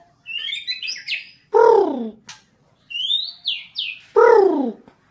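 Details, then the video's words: White-rumped shama being trained to become a fighter: clear rising whistled phrases alternate with loud, harsh, descending rasping notes, the pattern repeating twice in quick succession. "CARA MELATIH MENTAL BURUNG MURAI BATU SUPAYA FIGHTER"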